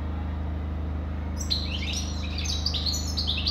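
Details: European goldfinch singing: after a quiet start, a fast run of high, twittering, sliding notes fills the last two seconds over a steady low electrical hum.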